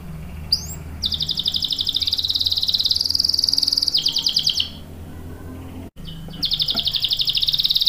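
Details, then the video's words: Vigorously singing canary, used to stimulate and tutor young and silent canaries: a brief upslurred note, then a long, even, rapid high trill for about four seconds, a pause, and another trill resuming, over faint low background hum. "SUARA KENARI GACOR ampuh buat pancingan dan masteran kenari paud dan macet | CANARY SINGING"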